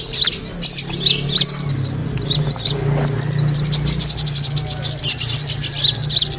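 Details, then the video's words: High-pitched kemade bird twittering used as a lure for birds, with clusters of quick squeaky chirps repeated in rapid runs, some sharp clicks, and a steady low drone in the background. "the sound of the kemade bird attracting noise"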